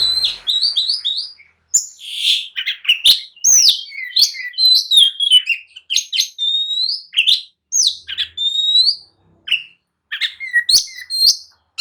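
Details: Agitated oriental magpie-robin song meant to provoke other birds to answer and fight: a rapid, varied run of sharp whistles, slurred rising notes and chattering trills, with short pauses between bursts.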